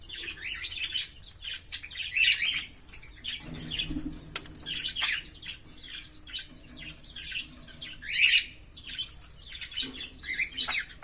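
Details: Green Fischer's lovebirds, a pair, in sustained chattering song: dense, overlapping high squeaks and twitters run almost continuously, with a couple of louder piercing notes standing out.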